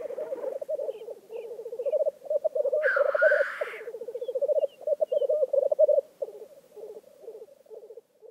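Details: Lekking black grouse in Vinje, Telemark, giving loud pulsing, bubbling coos in surging phrases. One hissing sneeze rises in the middle, with a few faint high chirps behind.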